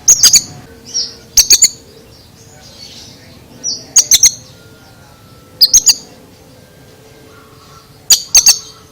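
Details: An Oriental magpie-robin delivers a strange song of rapid triple clicks in tight bursts about every one and a half to two seconds, with soft hoarse notes and short whistles between them.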